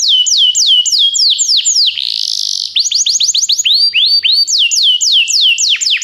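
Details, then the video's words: Belgian canary singing, meant to stir other canaries into song: series of bright whistled notes sweeping downward, repeated in quick tours of four to six, broken around the middle by a brief rasping buzzy passage, then more falling whistles. "canário especial para seduzir todos os canários - canário belga cantando"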